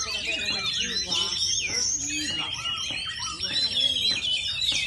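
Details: Caged oriental magpie-robin called 'ngepet' delivers rich, fast song: high warbled and slurred whistles run continuously, broken by short stacked lower notes and brief buzzy bursts.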